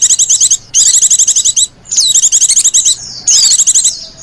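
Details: Female white-eye used to lure others, giving long bursts of fast, high, metallic trilled notes separated by brief pauses and a few slurred whistles.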